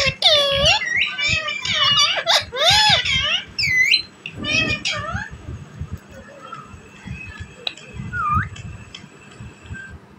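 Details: Green talking parrot from Pakistan; a rapid burst of bright, warbling, speech-like syllables with looping pitch, then scattered squeaks and a rising whistle over a low background hum.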